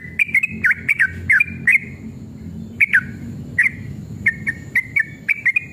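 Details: Sooty-headed bulbul male singing fiercely in long rapid phrases, used to provoke other bulbuls into song. Clusters of sharp, slurred whistles come in uneven bursts separated by short gaps, over a low background hum.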